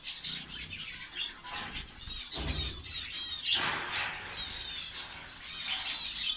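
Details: Colony of finches in Saudi Arabia, many birds calling together: dense, high, thin chirps and twitters overlapping continuously, with low rustling and wing-flutter thumps around two and a half to four seconds.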